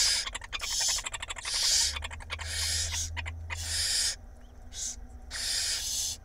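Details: Night feeding at an Israeli barn owl nest box, April 2021: the female with five nestlings; rapid clicking and ticking runs into overlapping hoarse hissing screeches, then several separate rasping hisses, with a low hum in the background.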